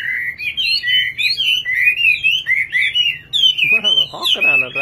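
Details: Rapid, chattering warble from a singing nightingale, notes sliding up and down in quick succession, before a person starts speaking over the last second.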